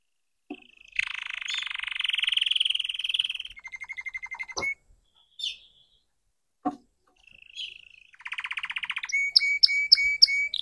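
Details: Young red canary learning to sing: a broad buzzy rattle, a softer trill, scattered short chirps and clicks with gaps, then a rapid trill and repeated high notes toward the end.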